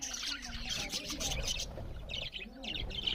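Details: Budgerigars eating and chirping loudly; a continuous bright chatter of overlapping high twitters, thinning briefly before bursts of sharp chirps.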